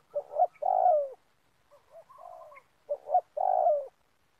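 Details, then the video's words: Low hooting phrases from a spotted dove at a palm oil plantation, recorded while trapping birds with a lure: two loud phrases, each a clipped double note and a long descending coo, with a softer phrase between them. "Mikat Tekukur"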